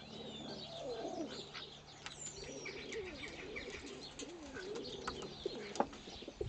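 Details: Cooing from a bonded pair of rescue-centre pigeons, one pure white, during courtship feeding ahead of mating: a steady run of wavering, throaty low coos with scattered faint clicks and ticks above.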